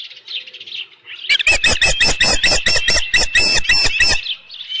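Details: Osprey calling on the nest at Dunrovin Ranch, 7:55 PM on 15 July 2018, as a headless fish arrives: soft whistled notes give way to an intense, fast series of shrill chirps, then fade.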